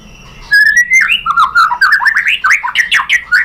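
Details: White-rumped shama song used to provoke other shamas into singing: a rising whistled note, then a rapid run of varied whistles and slurred, buzzy phrases between mid and high pitch.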